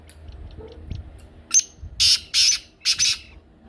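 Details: Black francolin call meant to set a pet francolin calling. A few faint clicks lead into three loud, rasping double bursts spaced about half a second apart.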